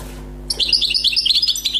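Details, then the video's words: European goldfinch, a freshly caught wild bird, delivering a rapid tinkling twitter of high, jingling notes that starts abruptly and runs on to the end, with a faint electrical hum beneath. "غناء حسون بري صيد جديد"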